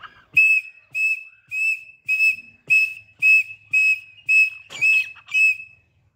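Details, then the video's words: Tame grey francolin (teetar) calls in a steady run of ten clear, high-pitched whistled notes, each short and even, repeated roughly every half second with a brief faint rustle near the end. "Gray Francolin Hand Tame Teetars Beautiful Voice | Irani or Dhakni teetar ki Khoobsurat Awaaz"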